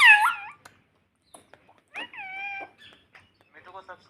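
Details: Pet parrot talking indoors, saying "mummy": a loud harmonic, nasal syllable at the start, a second drawn-out harmonic call around two seconds, then soft chattering murmurs.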